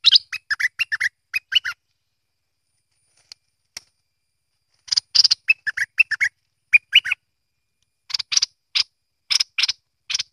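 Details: Merbah lekir or kuning bulbul producing repeated bursts of quick chirps and harsh chattering notes, separated by a quiet pause of about three seconds midway.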